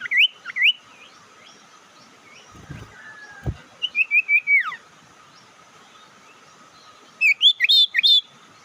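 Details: Provoking lure call from a bird: scattered upslurred whistles, a run of five sliding notes ending in a sharp downward sweep, then a final cluster of bright chirps, separated by quiet stretches with a constant hum.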